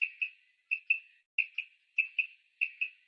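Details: A female common quail, whose call is used to lure quail in for hunting, gives a paired, clipped high note about every 0.6 seconds in an otherwise clean, quiet recording.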